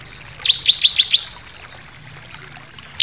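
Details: Bar-winged prinia giving a forceful 'nembak' shooting song with variations, used for tutoring captive birds: a quick burst of five sharp, high descending chirps within under a second, then near silence with a final high note.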